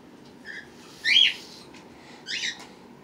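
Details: Pet birds kept with their babies, hatched March 31 and April 1, 2018, recorded April 23, 2018: three short chirped calls rising and falling with a ringing tone, the middle one loudest, over a faint steady indoor hum.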